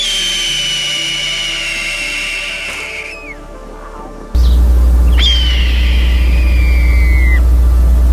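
A hawk gives two long, hoarse screams that slide downward, each lasting two to three seconds, over a loud low droning hum.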